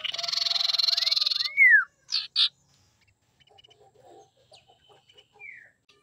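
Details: Female common iora used as a lure to provoke males into singing: a fast, harsh, pulsed buzzy chatter runs about one and a half seconds, then a clear whistle sweeps down. Softer scattered notes follow.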